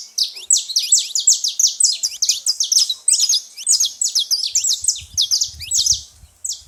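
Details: A saffron finch at a baited feeding spot chatters loudly in fast, high, overlapping chirps, with low rumbling entering near the end.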